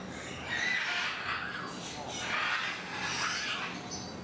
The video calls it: Sulphur-crested Cockatoo